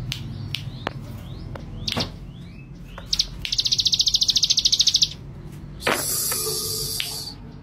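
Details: Male Bar-winged Prinia: scattered clicks and short high notes, then one rapid, buzzy trill of about a dozen and a half notes. The clip ends with a burst of broad hissing noise.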